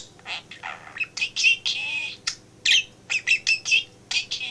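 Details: Male pet budgie in a home office, chattering beside its working owner; quick scratchy warbles, squeaky notes and sharp clicks in uneven bursts over a constant low hum.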